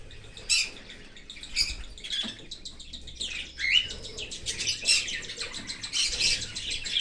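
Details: Australian cockatiel chick fed by its parent from outside the nest in an open aviary gives high, grating chirps, sparse at first, then crowding into rapid buzzy volleys.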